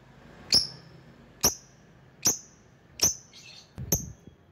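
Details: Lovebird lure calling to bring in rivals: a single thin, piercing chirp repeated about once a second, five or six times, with a soft scratchy noise near the end.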